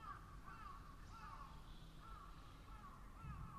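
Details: Several crows giving drawn-out, slightly wavering caws one after another, over a strong low hum.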